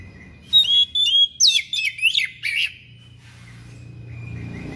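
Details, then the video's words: Thick-billed kacer (Oriental magpie-robin) delivering a harsh, persistent song that unloads mimicked phrases: about eight rapid, loud whistled bursts in two seconds, with twisting, wavering and steeply falling notes, fading into a quiet low hum. "KACER PARUH TEBAL SUARA PERIH NGOTOT BONGKAR ISIAN"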